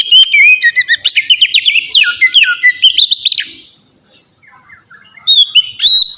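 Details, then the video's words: White-rumped shama song, played as a lure to make other shamas sing, opening with rapid tumbling whistles and chirps, fading into a quiet pause before bright whistled notes resume. "suara burung kacer ngeplong merdu sangat ampuh buat pancingan kacer bahan bikin cepat gacor"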